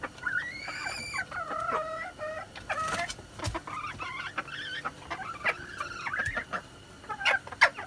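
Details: Six-month-old red junglefowl recorded 13 March 2019 giving a crow: a long wavering harmonic phrase opens, followed by a run of shorter nasal, bending syllables at mid pitch over several seconds, with scattered clicks and knocks behind.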